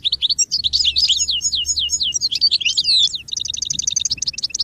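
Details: Goldfinch singing in song-training material: dense, tumbling sequence of sweeping twittered notes and liquid slurs, then a fast even series of clipped repeated chirps, bright and high throughout.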